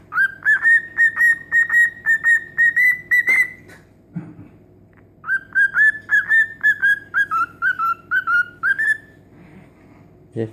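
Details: A cockatiel whistles the children's tune "If You're Happy and You Know It" in clear, evenly spaced notes.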